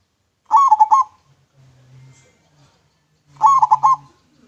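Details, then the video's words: Local zebra dove (perkutut) cooing with a clear voice, recorded for use as a lure: two bursts of rapid, pulsed, bubbling coos around a mid pitch, separated by a silent gap with a faint low hum. "PERKUTUT LOKAL MANGGUNG SUARA JERNIH COCOK BUAT PANCINGAN"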